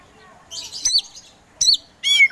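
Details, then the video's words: Caged Kacer Poci, an Oriental magpie-robin kept as a contest songbird, heard in a short burst of three high whistled phrases with sliding notes, separated by brief pauses, against a quiet background. "KACER POCI GACOR SANG PROVOKATOR || LELET SUSAH BUNYI SEKIAN DETIK LANGSUNG GACOR AWOR AWOR"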